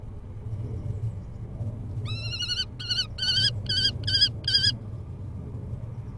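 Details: A male common kestrel brings a mouse to the female at Hoogeveen, Netherlands, on 6 April 2021, giving a burst of six shrill, ringing notes, the first drawn out, the rest quick and clipped, over a low rumble of wind or distant traffic.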